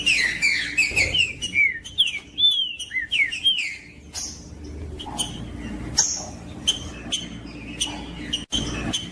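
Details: Green-winged saltator, called trinca-ferro, singing macheando to warm up others: a run of clear whistled swooping notes for several seconds, then scattered sharp chirps and clicks over a low steady hum.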